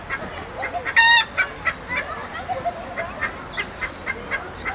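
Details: Hen calling, a loud rising squawk near one second followed by a run of short repeated clucks spaced about a third of a second apart, with other hens clucking softly around it.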